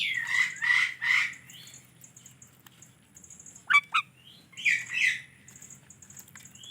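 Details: Indian ringneck parrot uttering two loud harsh squawks, then a pair of sharp clicking notes and another squawk burst, with quiet pauses between and a low hum beneath.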